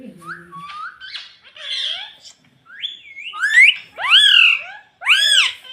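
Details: Talking ring-necked parrot kept as a pet, mimicking "mummy": soft wavering whistles at first, building to three loud arched harmonic calls at the end.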